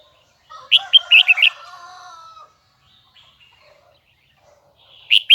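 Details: Kept red-whiskered bulbul, Huế type, giving a quick cluster of high bright whistles over a lower, steady, harmonic call, followed by quiet and a further bright phrase at the end.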